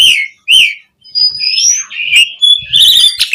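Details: Asian pied starling song from a master recording for teaching captive birds: two loud harsh notes, then long, drawn-out whistles that slide up and down, ending in a trilled, buzzy flourish.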